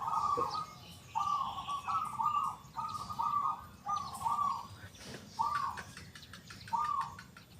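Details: Actively singing local zebra dove with the prized loud, clear 'kung' voice, giving seven short rolling, purring coo phrases about one second apart, each a quick burst of trilled notes, over soft background chirping.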